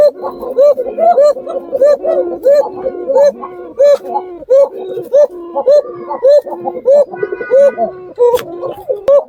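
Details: Pet Basiraj Khoka (Gobindo) pigeon, kept for its long call, likened to a jungle fowl's: thin, sweet, fluting calls with a drawn-out pull, repeated about one and a half times a second; a man speaks and music plays.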